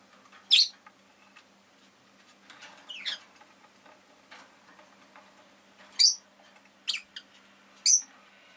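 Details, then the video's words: Rosy-faced lovebird calling with short, sharp, high chirps, a cluster of three near the end about a second apart, over a steady low hum. "Lovebird Chirping Sounds"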